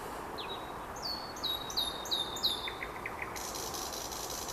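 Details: Common nightingale singing on a late-May evening near Vyazniki: loud pure whistled notes repeated in quick series, stepping and falling, followed by short clicking notes, over a steady low background hiss.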